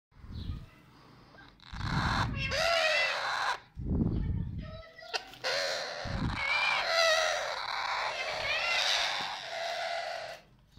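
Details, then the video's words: A baby green rose-ringed parakeet gives harsh, wavering squawks and raspy chatter in bursts, with low thumping handling noises between calls. "green ringneck baby"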